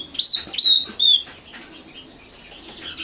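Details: Common nightingale song in Indonesia, known locally as sikatan londo: three loud, clear whistled notes, each slightly rising and then flattening, about half a second apart, followed by faint scratchy sounds.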